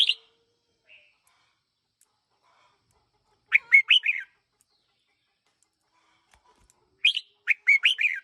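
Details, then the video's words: Red-whiskered bulbul decoy, one year old, repeating a short lively phrase of four or five sharp chirps and slurred whistles about every three and a half seconds, with quiet gaps between. "Chào mào chim mồi 1 nam"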